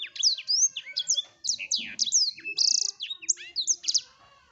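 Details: Blackthroat singing gacor: energetic, tightly packed high chirps and sweeping whistles, a brief buzzy burst near the middle, and the phrase fading softly at the end.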